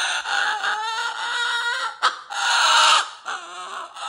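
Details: Cockatoo kept as a pet shrieking indoors in a playful "roar": a long, rough, nasal scream, a sharp click-like break, then another loud harsh screech and a softer trailing cry.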